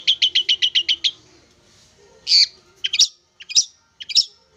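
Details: Tamed young long-tailed shrike from the wild, now singing steadily after three months in care: a rapid burst of seven even chattering notes, a pause, then isolated sharp whistled notes with clicks.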